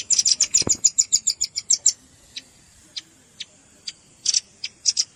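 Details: Red-billed rambatan calls mixed with juvenile calls for luring birds: a rapid burst of thin, high chips lasting two seconds, followed by sparse isolated notes and a brief double chip.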